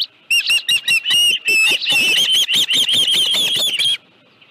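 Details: At its nest with a live fish, late afternoon on 25 July 2018, an osprey gives a burst of shrill, clipped chirps that blur into a longer ringing run before stopping abruptly, with quiet on either side.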